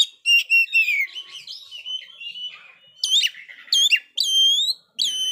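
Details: Oriental magpie-robin, a bird that failed to moult but sings heavily, giving loud clear whistles with harmonics, then a warbling scratchy run and more rising-falling whistled notes.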